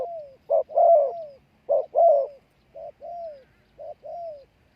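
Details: Spotted dove used as a lure for wild doves, giving a run of four low two-part coos, short note then longer falling coo, the later phrases quieter and shorter, roughly one per second.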